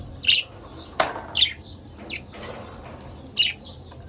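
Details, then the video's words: Two pet budgerigars, a pair, calling in brief high chirps at uneven intervals, with one sharp click-like tap near the first second and soft chatter between calls. "Lovely Couple Budgerigar Bird"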